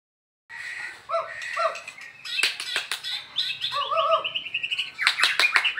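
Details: Caged white-rumped shama singing in the afternoon during a training session alongside a shama from Medan; clear whistled phrases with descending slurs, sharp clicks and rapid chattering bursts, some phrases repeated twice.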